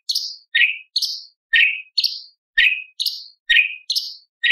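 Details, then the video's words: Light-vented bulbul tembakan with imitations of lovebird, parakeet, ciblek and pancawarna, here a steady run of paired notes: a high sharp chirp followed by a lower swooping whistle, repeated roughly twice a second. "CUCAK CUNGKOK ISTIMEWA - TEMBAKAN ISTIMEWA ISIAN LOVBIRD PARKIT CIBLEK PANCAWARNA"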